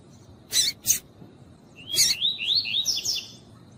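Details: Double-collared seedeater, a female calling to stimulate the male: two short broadband chip notes, then a rising, rapidly warbled series of high whistled notes climbing in pitch, with a steady faint high tone in the background.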